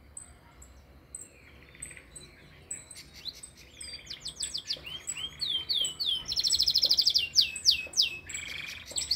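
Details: Canary song opening with soft, evenly spaced high chips, then swelling into loud, rapid runs of sweeping whistles and dense rattling trills that grow stronger toward the end.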